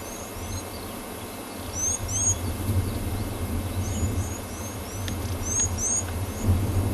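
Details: A blue waxbill sitting in a tree on a South African morning game drive on 6 August 2020 gives thin, high, slurred tseee notes in short pairs and clusters over a steady low rumble of vehicle engine and breeze.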